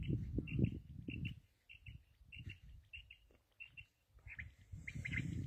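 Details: Black francolin (kala teetar) giving paired, sharp chirping notes at a steady rhythm, roughly twice per second. Strong low thumping and rumbling noise runs underneath.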